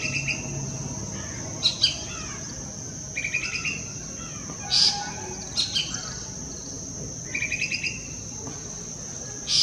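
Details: Chirping of a golden-fronted leafbird, Western Ghats, Pawas, India: bright high notes in short rattly clusters, loudest near the middle and end, set against a continuous shrill insect drone.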